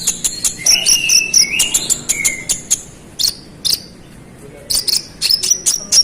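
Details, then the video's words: Konin (brown-throated sunbird) in energetic song to incite other males: fast, uneven high chirps and twitters about two per second, mixed with lower sliding whistles in the first half. "KONIN GACOR ROLL NEMBAK NGOTOT Buat konin lain emosi"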